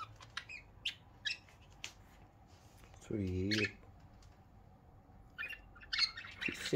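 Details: Pet budgerigars chattering indoors in the morning, described as a happy sound. Scattered high chirps and squeaks fill the clip, broken midway by a short burst of human speech; a dense run of chirps follows at the end.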